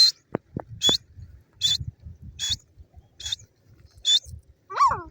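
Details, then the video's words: Grey francolin (teetar) from Pakistan giving a series of short high buzzy notes, roughly one every half second to second, among low thuds, with a sharp descending chirp near the end. "grey francolin bird lovely sound,pakistani teetar ki awaaz"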